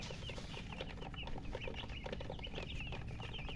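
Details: Thirsty chicks, coloured baby chickens asking for drinking water, produce a flurry of high, quick chirps from many birds at once, mixed with some lower squeaky pulses and a low background hum.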